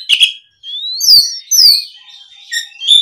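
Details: Oriental magpie-robin song in response to a rival: long clear whistles sliding upward, interrupted by short harsh notes, with pauses between phrases.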